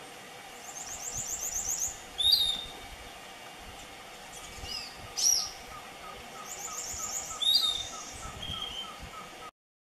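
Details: Lone Piratic flycatcher vocalizing at Puerto Paraíso, Misiones, September 2015: sharp, high squeaky notes every few seconds, with faint high trilled phrases between them over a quiet background hum.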